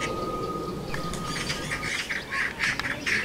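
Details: Garden nest fight between magpies. Loud, harsh squawks and grating bursts follow each other irregularly, about two a second, with rough chattering noise between them.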